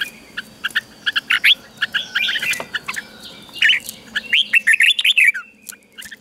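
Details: Red-whiskered bulbul song for caged birds to learn, Thailand: soft scattered chirps build into brisk, bubbly warbled phrases with swooping notes, over a faint background hum.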